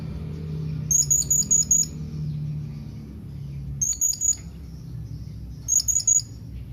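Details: Thin, piercing squeaks from a blue-crowned hanging parrot calling to companions, delivered in three clusters of three to five rapid notes roughly every two and a half seconds, over low background hum.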